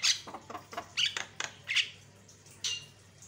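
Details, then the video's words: Javan myna lure song meant to provoke other mynas: scattered harsh, scratchy notes and short high whistles at irregular intervals, with a low steady hum beneath. "pancingan jalak kebo suaranya bikin jalak emosi"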